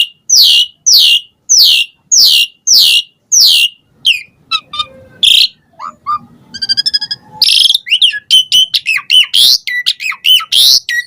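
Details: Asian pied starling song used as a lure to provoke other starlings to answer: a run of repeated loud descending whistles about twice a second, then varied chattering, clicks and buzzy rattles, ending in rapid bright whistled notes.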